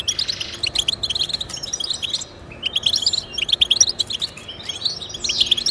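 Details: Goldfinch song meant to inspire pet goldfinches: bursts of bright twittering notes, a short near-silent gap, then renewed chirpy phrases with sharp high tinkles.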